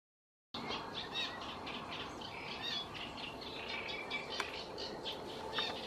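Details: Great reed warbler fledglings waiting to be fed by their parents at the La Guardia lagoons, Toledo, beg with a steady, busy stream of short, high chirps and scratchy notes, several birds calling over each other.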